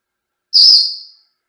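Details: A pet Senegal parrot gives a single shrill, piercing scream under a second long, loud then fading, the kind he screams especially when he drops his treat.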